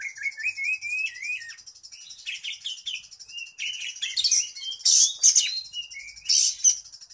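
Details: Caged oriental magpie-robin (kacer), said to sing day and night, pours out a varied song: sliding whistles rising and falling, then dense loud chattering bursts over a steady high buzzing tone.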